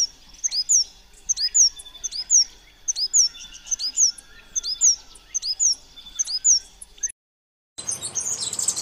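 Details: Chestnut-vented conebill (Conirostrum speciosum) singing: very high, thin, sharp notes with quick slurred up-and-down strokes, grouped in short phrases repeated roughly once per second for seven seconds, then a brief silence and a burst of hissy noise.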